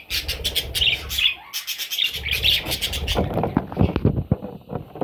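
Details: Parrot chicks chirping in fast scratchy notes for the first few seconds, then the calls give way to rustling and scraping sounds.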